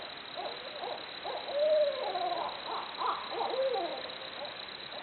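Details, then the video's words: Hooting barred owls with a raucous, jungle-like mix of sharp whoops and a long, smooth rising-and-falling hoot near the middle, followed by further cackling notes. "Barred Owls Hooting Away Making Jungle Noises."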